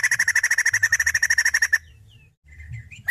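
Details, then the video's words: Female white-crested laughingthrush (poksay jambul): a quick series of about twenty harsh, evenly spaced notes, then near silence with faint chirps before another burst begins. "Poksay Jambul Betina Edan"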